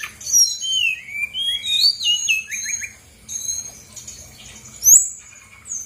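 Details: Brown-chested jungle flycatcher song played as a lure so reluctant birds answer: a run of descending whistled slurs, then short sharp high notes and a final bright upward whistle.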